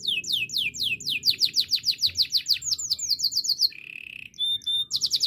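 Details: Canary singing used to train canaries: a long tour of sweeping downslurred notes, about four per second, speeding into a tight series. A soft buzzy roll and a thin whistle follow, then a bright trill.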